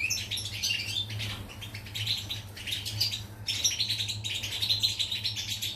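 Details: Pied European goldfinch recorded on 14 July 2019, singing a continuous, fast, high twittering song of jumbled chirps and trills, with clicking and rustling noises and a steady low hum underneath.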